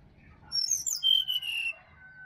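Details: Sirdadu singing wild in a Bali forest, a recording meant to prompt a quiet caged bird in the morning. One brief bright phrase of high sharp notes drops into a longer falling whistle, with soft background twitters.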